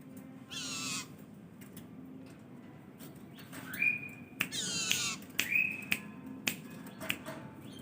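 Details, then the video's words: Long-tailed shrike uttering scattered rasping squawks and rising nasal notes, separated by pauses and a few sharp clicks, fairly quiet over a persistent low hum. "BURUNG CENDET GACOR MATERI LENGKAP"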